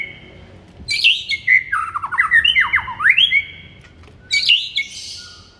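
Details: White-rumped shama singing in the morning, a song meant to stir up a kept shama: loud varied whistled phrases sliding up and down, a pause, then a burst of higher rich notes.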